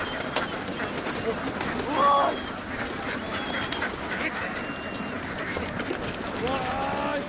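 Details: Vietnamese laying ducks in a flock going down onto a boat; scattered nasal quacks, one loud rasping call near the middle, amid continuous mechanical background noise.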